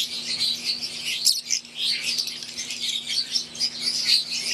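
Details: Captive flock of wild-type green Fischer's and Euwing lovebirds chattering continuously in piercing high chirps and whistly squeaks, a brief fluttery burst just past one second, over faint low hum.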